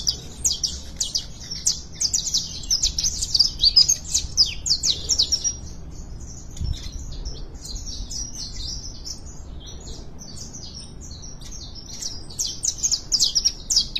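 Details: Warming-up song of canaries, dense high-pitched trills and chirping runs in rapid bursts, pausing briefly midway before resuming, against faint background hum.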